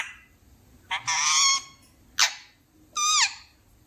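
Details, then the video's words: Talking parrot giving three harsh, rasping utterances, the last bending downward in pitch, separated by short pauses in a quiet room "Talking parrot"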